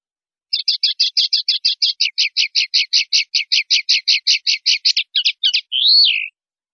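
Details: Common linnet, clean-style 'pardillo limpio' song from Spanish silvestrismo, 2019/2020: a steady chain of roughly thirty quick repeated twittering notes, two sharper chips, then an arched nasal note rising and falling, in a silent background.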